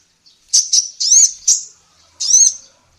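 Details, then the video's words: Female sunbird, tutor recording for training songbirds: a few sharp high chips followed by two drawn-out, ringing, wavering whistles separated by a short pause. No other sounds. "SUARA BURUNG KOLIBRI NINJA BETINA GACOR"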